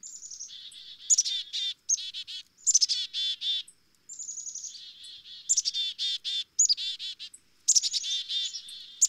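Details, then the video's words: Black-capped chickadee giving repeated chick-a-dee calls: thin, high introductory notes followed by a run of harsh, buzzy dee notes, several bursts in quick succession. "Black-Capped Chickadee Tweets"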